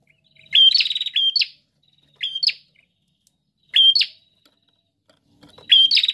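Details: Energetic prinia song: high whistles joined to fast rattling pulse trains and buzzy flicks, in bursts about every one and a half seconds.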